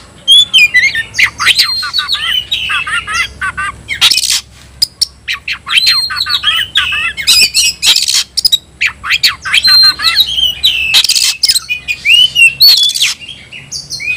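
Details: Oriental magpie-robin (kacer) giving a fighting challenge: long stream of varied whistles and chatter, broken several times by loud broadband rustling bursts.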